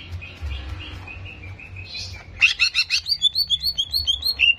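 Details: Greater green leafbird song from a recording played to provoke aggression: faint, soft whistled notes give way to a loud burst of chattering and a rhythmic series of bright, ringing whistles repeated rapidly.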